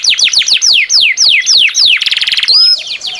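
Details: Canary singing energetically: a series of sweeping descending whistles, then a quick rattling buzz and a clear high whistled note rising at the end.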